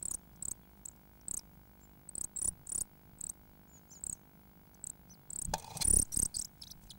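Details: Blue tit chicks, about nine, begging in a nest box in Bedford, UK, around 9am on 6 May 2009: very high, thin chirps in short bursts, swelling into a louder cluster of calls near the end with rustling.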